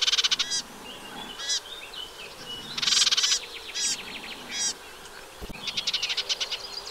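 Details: Eurasian reed warbler singing at its nest site, a wet meadow on the freshwater Vilaine near Arzal dam, Brittany, mid-June 2023: short jerky bursts of harsh repeated notes at irregular intervals, ending in a steadier rhythmic chatter.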